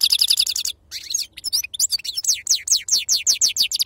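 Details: European goldfinch singing in authentic wild 'khalwi' style, the 'sarfati' song type: a dense buzzy trill, then a brief pause, then a fast run of bright downward-sliding twittering notes repeated in quick succession.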